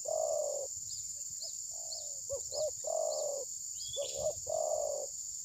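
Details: Trapping decoy spotted dove that is not striking its opponent, maybe moulting, recorded on a mobile phone: long low coos alternating with double throbbing notes, set against ringing insect noise and scattered faint high chirps.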